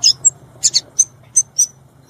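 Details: Violaceous euphonia in the wild giving a handful of brief, very high, sharp notes spaced irregularly, with a soft low rumble in the background.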